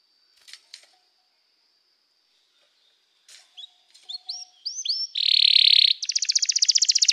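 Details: After a few faint clicks, a canary's song builds from rising whistled notes into a dense buzzing roll and then a fast, even trill of high chirps.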